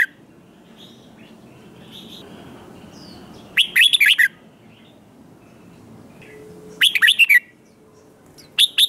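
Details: Red-whiskered bulbul, a newly caught wild bird, in competitive fighting song: two short bursts of bright, fluttering whistled notes about three seconds apart, each under a second, over quiet low background hum.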